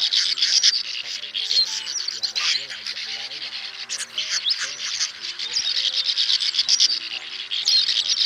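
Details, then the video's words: Flock-to-roost calling by male and female swiftlets, used to lure birds into nets: unbroken, dense high chattering trills pulsing rapidly throughout, with faint low wavering tones underneath. "Tiếng Én Mốc , Nhạn Nâu Xám Gọi Bầy Ru Ngủ Lùm , Trống Mái Kêu"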